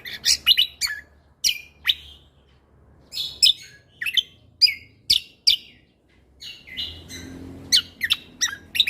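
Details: Lesser green leafbird (cucak kombo) singing actively for use in training other songbirds: crisp high chips and downward-slurring whistles in clustered bursts, brief silences between groups, with a faint low hum.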